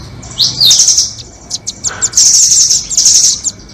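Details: Doraemon and red-billed nuthatches in trapping lure audio: a shrill sliding note leads into high chattering trills, followed by scattered sharp ticks and two long, loud, buzzy trilled bursts.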